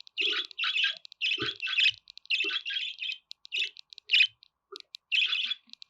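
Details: Steady budgerigar warble, dense runs of raspy chirps and clicking notes with soft low chuckles underneath, almost without pause.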